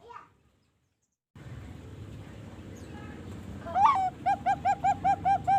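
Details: Farm-bred young zebra dove of the Bangkok type, aged 3.5 months. After a quiet gap and steady background hiss, a rising call is followed by seven short arched coos repeated quickly and evenly.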